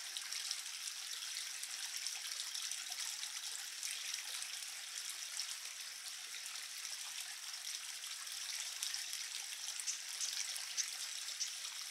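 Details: Steady trickling water, like a small stream or running tap, fills the recording with no clear animal calls.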